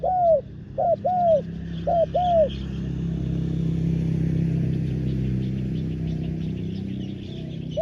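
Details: Spotted dove kept as a ground decoy to lure wild doves, uttering a few clear descending coos early on, after which passing traffic noise takes over.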